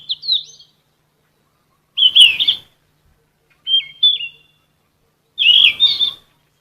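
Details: Insect-eating sikatan emas flycatcher, genus Ficedula, in gacor song: alternating short whistled notes, a dropping two-part whistle and busier warbled bursts, each phrase set apart by about a second of silence.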